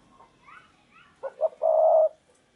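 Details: Decoy spotted dove luring wild doves: two short soft coos followed by one long, drawn-out hollow coo, after faint higher chirping from another bird.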